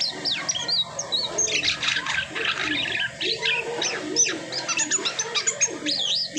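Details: Post-moult Asian pied starling delivering a long, unbroken jumble of grating chatter, buzzy notes and high whistles, loud and varied throughout.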